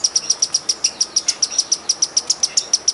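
A hummingbird gives a rapid series of thin, very high chips, about five or six per second, steady and sharp, over faint background hiss.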